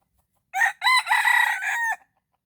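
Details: Morning crowing of a red junglefowl lured by a decoy: one loud, raspy crow of four linked parts, the last one short and falling, about one and a half seconds long, with near silence before and after.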